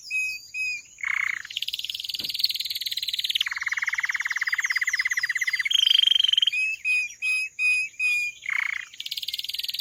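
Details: Canary song mixing short chirps, swelling buzzy rolls and a long low trill, followed by a bright whistled phrase and repeated clipped notes, sung continuously for ten seconds.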